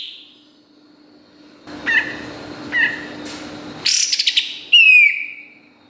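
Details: Kapas tembak song used to tutor competition songbirds. Two soft chirps come first, then a quick trill and one loud, bright whistle that slides downward and fades.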